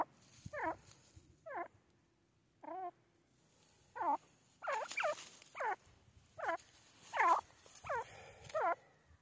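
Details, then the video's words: Series of curved, downward-bending harmonic notes from a grey francolin (teetar), spaced about a second apart, with a slight pause before the calls speed up and grow louder. "Grey francolin teetar ki awaz francolin call"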